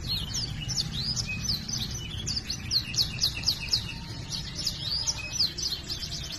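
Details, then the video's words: Canary song for training other canaries, with repeated high rising chirps and rapid upslurred whistles several times a second, a busy flowing phrase over a low background rumble. "Masteran suara burung kenari GACOR ngerol cuit cuit nembak ‼️ Kenari macet akan BUNYI"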